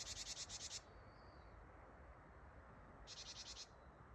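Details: Harsh "ji-ji-ji-ji" gathering call of a close Japanese tit, 8 December 2025: two scratchy pulsed bursts about three seconds apart, the first of roughly eight pulses, the second shorter, with a soft whistle between them.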